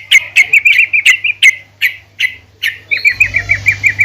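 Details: A female yellow-vented bulbul calls other bulbuls with quick, bright chirps, irregular at first, then an evenly spaced run of short, slightly rising notes over a faint low hum and some hiss.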